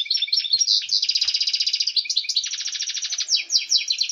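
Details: European goldfinch in full excitement, singing to stimulate hens for breeding: an unbroken stream of fast, high, buzzy trills and rattling twitters, strongly repeated pulses about every quarter second.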